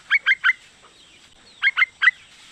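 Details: Yellow-vented bulbul, a female calling her mate, gives two sets of three crisp, spaced chattering notes with a pause of over a second between the sets.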